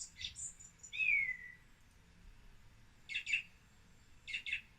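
Song Thrush song: high chirps and a clear falling whistle, then a sharp doubled note given and repeated about a second later.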